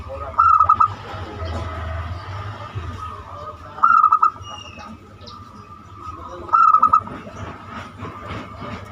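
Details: Banyumili-style zebra dove song meant as a lure to set other doves singing: three brief clusters of quick, bubbling coo notes roughly every three seconds, with a low rumbling hum underneath.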